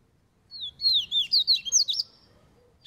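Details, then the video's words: Double-collared seedeater in training, a rapid high warbling phrase of slurred, twittering notes lasting about a second and a half, with faint low background hum. "COLEIRO CAVEIRAO TREINANDO NO SOLTO"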